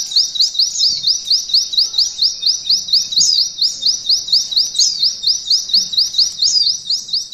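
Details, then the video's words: For training competition birds, a mountain white-eye sustains the 'nembak kenari ngalun' style: a relentless chain of high, quick upslurred notes with a few overlapping flourishes. "Pleci Materi Nembak Kenari NGALUN paling Ampuh!!! Saat di lombakan"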